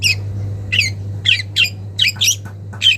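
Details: Young wild long-tailed shrike calling to a rival: loud, harsh squawking notes with downward sweeps, spaced roughly half a second apart, a double note near the end, over a steady low hum.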